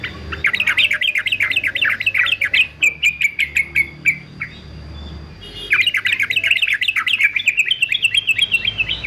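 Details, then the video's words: Fighter male yellow-vented bulbul for song training: a fast, scratchy, bubbling chatter of rapid rising-and-falling notes, a brief quieter gap, then another vigorous rapid run. "TRUCUKAN JANTAN FIGHTER ANTI BISU"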